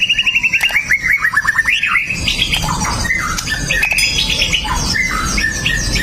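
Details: Male white-rumped shama singing to goad rival males, phone-recorded: a fast descending series of repeated chipping notes, then a jumble of varied whistles and chatter.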